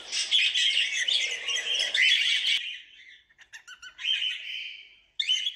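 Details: Cockatiels calling in a relaxing setting: harsh squawks and chirps around 2–4k pitch, dense chatter for the first two and a half seconds, then scattered short notes and a rising burst.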